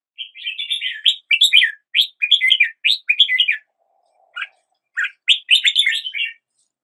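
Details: Red-whiskered bulbul singing: bursts of bright, bubbling chirped notes in quick phrases, a short pause near the middle, then renewed rapid warbling; clean background with no other sounds.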